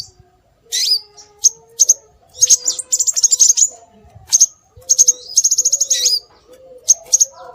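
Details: Scarlet minivet lure calls meant to draw birds in: sharp, high-pitched chirps, some in rapid stuttering runs and some as upward-sweeping whistles, spaced irregularly over a soft low background hum.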